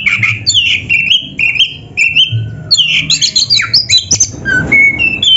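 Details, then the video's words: Kacer, the Oriental magpie-robin, singing a busy 'gacor full isian' masteran for caged-bird training: clear whistles with upward slurs, rich mixed chirps and quick trills, constant and loud. "MASTERAN KACER GACOR FULL ISIAN !! - Suara Burung Kacer yang cocok untuk LATIHAN"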